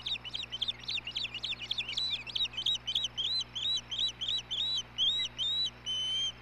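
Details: Nesting osprey pair, male serving food to the female, 17 May 2016: a hurried jumble of piercing chirps slows into evenly spaced, longer whistled notes, each bending upward and then down, ending in a clear sustained whistle.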